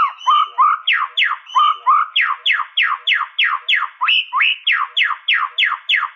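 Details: White-rumped shama song: a rapid series of slurred, rising whistled notes, about three per second, with a short phrase pattern repeated near-regularly for six seconds.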